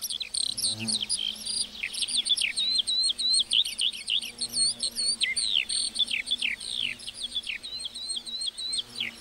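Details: In a meadow a lark keeps up a fast, jumbled flow of sharp high chirps and downslurred whistles, about three notes a second, hardly pausing.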